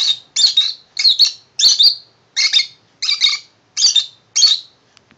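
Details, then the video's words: Tame male lovebird indoors, singing happily over his new shoe box house; loud shrill chattering bursts repeated roughly every half second, seven phrases of rapid squeaky notes. "Tame Lovebird singing happily for his new house."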